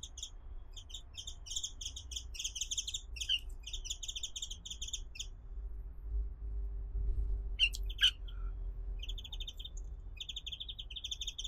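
A brown-eared bulbul gives bursts of rapid, high chattering notes with a few sharp downslurred squeaks, over a steady low rumble.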